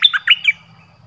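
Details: Brief burst of orange-headed thrush decoy song for luring wild birds: four rapid, strong whistled notes dipping in pitch, then a faint low hum.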